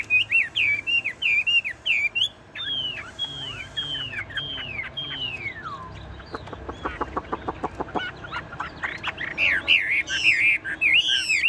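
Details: Tame caged Chinese hwamei singing nonstop as if machine-driven, even with the cage shaken: loud looping whistles, a series of falling slurred notes, a rapid burst of dry clicks, then strong repeated upswept whistles.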